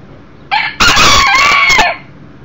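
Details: Indoors in 2013, a one-year-old beta Millefleur d'Uccle rooster crows: a brief introductory note, a pause, then a long, loud, hoarse cock-a-doodle-doo holding level before dropping away. The broody hen and chicks are nearby.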